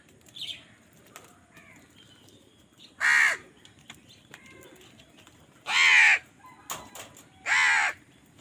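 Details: Crows fighting over food give three loud, harsh caws spaced a few seconds apart, with faint chirps from other birds between them.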